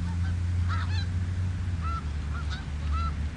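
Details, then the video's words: Snow geese on the Richelieu River: scattered short nasal honks, some doubled or in quick pairs, rising then falling in pitch, heard over a steady heavy low rumble. "Snow greese on Richelieu r"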